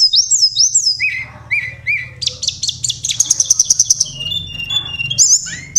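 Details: Oriental magpie-robin singing a varied contest-style song with rapid 'roll tembakan' bursts: sweet upslurred whistles and slurred notes, then a fast high buzzy trill of repeated notes, ending in bright whistled phrases; faint low hum beneath.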